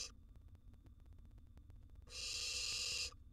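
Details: A wild barn owl nestling in a nest box swallows a huge gerbil. After two seconds of quiet rustling comes one long, harsh, breathy hiss lasting about a second, then it stops abruptly.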